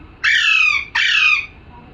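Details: Parrot calling: two harsh, loud squawks, each about half a second long and rich in high overtones, given in quick succession with a short gap between them, in a quiet indoor setting.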